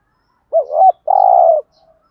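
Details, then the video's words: Decoy spotted dove cooing thúc gù style with a giọng thổ voice. A dipping, undulating coo leads into a long, steady, vibrating coo, followed by faint soft notes. "Thúc gù bài bản/ tiếng chim cu gáy thúc gù bài bản, chim cu mồi gù thúc, cu gáy thúc gù"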